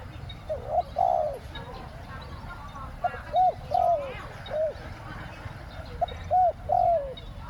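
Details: Spotted dove, a decoy luring wild doves, gives two-word 'khu-ang' coos: short clipped notes and longer drooping notes in loose groups of three, low and mellow, over faint background hiss and distant chatter.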